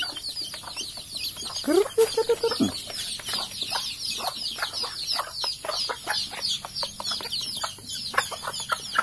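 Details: Captive Sumatran junglefowl while its food and water dishes are cleaned with antibacterial floor cleaner: one short, harmonic, rising call near the two-second mark, set against steady scraping, scrubbing and clicking noises.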